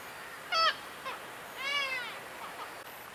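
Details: Black-legged Kittiwake, a highly vocal breeder on the Norwegian coast in mid-May. A sharp, nasal yelp is followed by a long, whining call that rises and then falls. Fainter short calls from the colony can be heard behind it.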